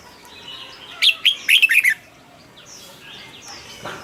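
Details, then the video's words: Red-whiskered bulbul in a cage giving a rousing song for competition birds: a sharp note, then a quick, rich, warbling burst of bright notes about a second long. Faint chirps from other birds follow. "นกปรอดหัวจุก นกปรอดหัวจุก เสียงนกกรงหัวจุก ขวัญใจสายเบิ้ลอาชีพ ฟังแล้วคึกเหมือนเดิม นกไม่คึกห้ามฟัง"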